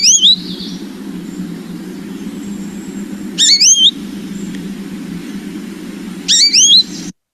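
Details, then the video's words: American Goldfinch in Kentucky in September gives its common seasonal 'baby' call: three rich, slurred, rising two-part calls about three seconds apart, over a steady low rumble of traffic. "The other call that the American goldfinch does very often this time of year is the baby, which is a very rich kind of like slurred baby call."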